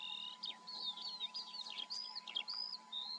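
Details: In the Eifel, Germany, a Eurasian skylark delivers a continuous warbling torrent of thin whistles, quick up-and-down slurs and scratchy chirps, notes tumbling about twice per second, with a soft electrical hum throughout.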